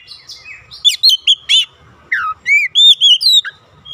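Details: Domestic Oriental magpie-robin song meant to trigger replies from other birds: a few separated clear whistles and arched, slurred notes, some falling steeply, others upward-bending, delivered in short bursts across four seconds.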